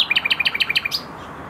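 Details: Common nightingale singing in a garden in Tokat, Türkiye: a quick run of about a dozen sharp, repeated notes alternating high and low, ending in one higher note, then quiet.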